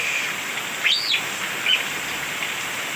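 A Coleto gives one high, arching whistle that rises and falls, then a brief clipped note, over a steady hiss like rain.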